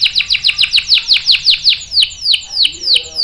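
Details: Canary rolling song meant to lure and tutor juveniles: a run of sharp descending chip notes, quick at first and gradually slowing to about three per second.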